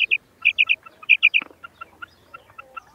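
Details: Female common quail calling: short high paired notes in quick bursts, repeated several times, with softer chirps following.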